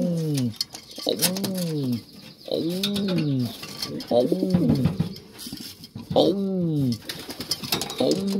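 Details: Racing pigeon cooing in a series of deep, arched, harmonic notes, each under a second, about six in eight seconds with short gaps, some overlapping rustles and faint clicks between phrases.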